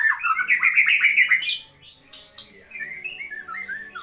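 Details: Tutor recording of a white-rumped shama singing a loud burst of fast, tumbling whistled notes with a sharp squeal, then fading into softer, scattered warbled phrases over low background hum.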